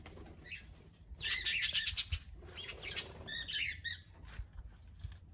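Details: Cockatiel (Nymphicus hollandicus), call.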